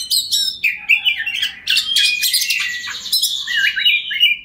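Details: Oriental magpie-robin (kacer) singing hard in a lively display, a lure to spur rival males into song: loud varied whistles, slurred rising and falling phrases and rapid scratchy trills, continuous without breaks.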